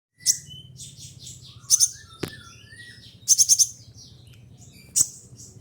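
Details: Caged kolibri ninja (konin) singing learned phrases of other birds: sharp, very high chirping bursts of rapid ticking notes, separated by thin whistles and short slurred notes, with a low steady hum beneath.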